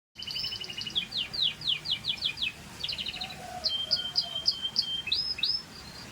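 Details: Scotch Fancy canary singing: rapid trills of repeated sweeping notes, then a run of short whistled chips and a few upslurred notes, bright and high, with faint low background noise.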